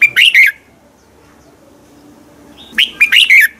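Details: A red-whiskered bulbul sings in the morning as a training lure. Two quick phrases of sharp, bouncing whistled notes are separated by about two seconds of near silence.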